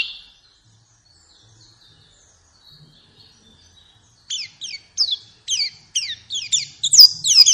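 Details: Faint thin whistles give way to a series of sharp, downslurred chirps. The chirps come in short bursts that grow louder and quicker, in a white-eye recording played to coax a caged bird into singing.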